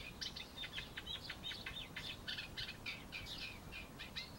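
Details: Eurasian reed warbler singing from a laurel bush: a steady chattering run of short, scratchy, high notes, some repeated two or three times, with brief whistled and churring elements and no pauses across the phrase.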